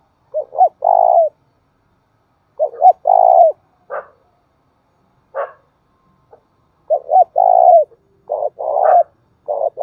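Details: Spotted dove calling coo and thúc bổi: several hollow phrases with rolled, vibrating middle coos, broken by a few short harsh sounds, ending in rapid repeated coos.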